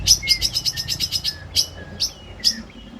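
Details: Long-tailed shrike trained as a singing model, uttering a rapid run of piercing high chips followed by a few spaced sharp notes, each trailed by a short lower whistle, in a quiet setting.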